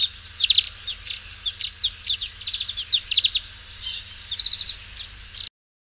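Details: European Greenfinch twittering song, busy chirps and short trilled bursts over a faint low hum, ending abruptly.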